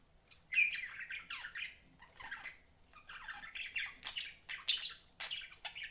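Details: Pet budgerigars give continuous warbled chatter, scratchy chirps and sliding notes running into one another with small clicks throughout.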